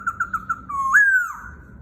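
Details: White-browed laughingthrush singing softly to tutor a young bird, mimicking a rooster crow: four quick clear notes, then a long whistled note that swoops upward and slowly falls away, in a quiet room.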